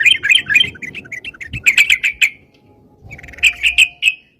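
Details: Sooty-headed bulbul singing briskly, a recording for luring birds: fast jumbled chirps, then spaced sharp notes, a short gap, and four final bright calls, with faint low noise.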